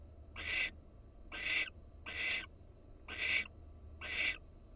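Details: Barn owl, wild, on a Florida nest cam; five coarse, breathy screeches, each brief, spaced a little unevenly around a second apart, with low electrical-sounding hum underneath.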